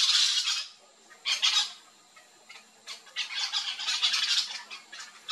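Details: Yellow-chevroned parakeet flock feeding on fruit in a backyard in Brazil: harsh, shrill screeching bursts, a long one at the start, then a short burst and a dense chattering run of overlapping squawks.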